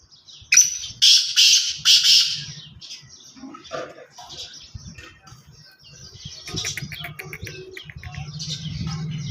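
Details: Loud rasping call of a black francolin opens with three or four harsh, grating phrases in rapid sequence. It gives way to quieter chirps from small birds and a low background hum.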